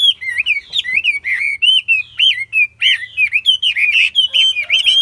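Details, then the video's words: A caged Chinese hwamei sings a continuous run of clear, looping whistles. Each note bends sharply up and down and is repeated in quick succession, with brief gaps between phrases in a quiet indoor setting. "Hót tốt, Đấu tốt. Siêng mỏ, giọng hay"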